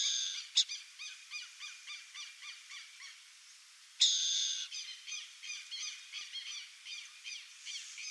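Burrowing owl giving a fast, repeated chattering series of short, high notes, broken by two loud, harsh rasping screeches.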